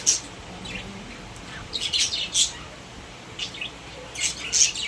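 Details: Budgerigars kept as pets in a cage give short, very high chirps and squeaky tweets in scattered bursts, a few each second, over a quiet background.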